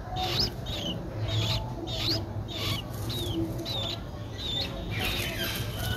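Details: Streak-eared bulbul chick, 12 days old, recorded in April in Ubon Ratchathani, Thailand; thin high rising squeaky notes repeated roughly every half second over low background rumble.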